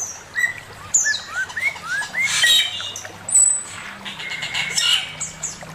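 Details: Male Chinese hwamei singing master song, with a falling high whistle, a string of soft rising slurs, then a dense, buzzy, bright passage and scattered high notes.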